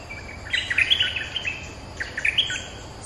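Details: Streak-eared bulbul defending its territory against lure calls, giving two short phrases of loud, clear, chirpy notes about one and a half seconds apart.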